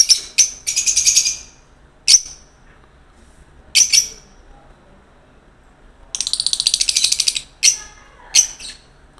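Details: Lovebirds giving shrill, sharp chirps and bursts of rapid buzzy chatter, with brief loud squeaks spaced irregularly between quieter stretches.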